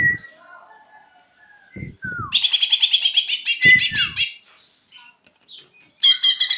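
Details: Greater green leafbird learning to sing: after a few faint notes, a burst of rapid, high, buzzy trilled chatter lasts about two seconds, with a swooping whistle inside it. A shorter trilled burst follows near the end, and low thumps sound in between.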